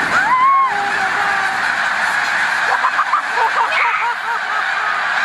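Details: Thousands of snow geese gathered at the Montezuma mucklands, New York, March 2022, make a steady wall of yelping honks, with a brief whistled tone at the start.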